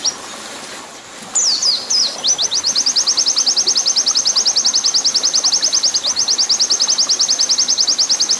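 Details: Oriental white-eye master song in the long 'nembak panjang' style, used for training and mixed with water sound: a brief high twittering opens, then a fast, steady train of sharp high chips repeated several times a second over a constant watery hiss.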